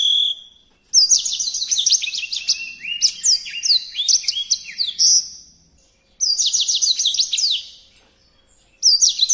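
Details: Songbird delivering intense bursts of high, fast whistled trills and down-slurred notes, two long phrases and the start of a third, with short pauses between them.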